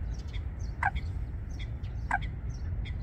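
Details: Eurasian coots, a pair building their nest among aquatic plants on Wangsong Lake in South Korea, give two loud, sharp, falling calls about 1.3 seconds apart, with soft high chirps from other birds and low rumbling noise.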